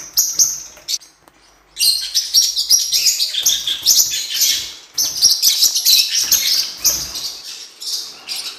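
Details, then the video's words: Blue-winged parrotlet, cuiubinha, recorded for training: brief chirps, a short pause, then long stretches of dense, rapid, high-pitched twittering and chattering. "CANTO DO FORPUS - OTIMA QUALIDADE PARA ENCARTE E TREINAMENTO! (Cuiubinha, Forpus Xanthopterygius)"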